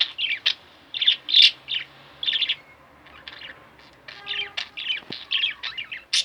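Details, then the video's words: Indoor pair of budgies chirping and warbling, bursts of buzzy high notes with brief pauses, a faint low hum beneath. "Budgie Birds Extravaganza-Relax With My Budgies 15 minutes"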